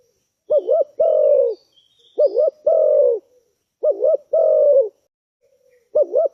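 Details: Fast-response call of a spotted dove: three full phrases and the start of a fourth, roughly every 1.7 seconds. Each has a quick wavering double note, then a drawn-out, even coo. Faint high chirps from other birds sound in the background.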